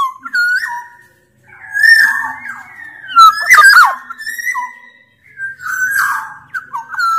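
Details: Black-naped oriole from Sumbawa, a big-bodied type, singing actively as lure audio for other orioles: fluid whistled phrases with harmonics, falling and rising notes broken by harsh rasping bursts, with two short pauses.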